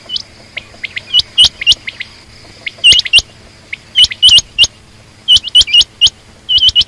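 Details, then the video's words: Chirping female quail, short rising notes in irregular bursts of two or three, with softer lower chirps in between and a faint background hum. "common quail/Rain quail sound)chinga batair ki Awaz)Звук самки перепела)صدای بلدرچین)صوت السمان"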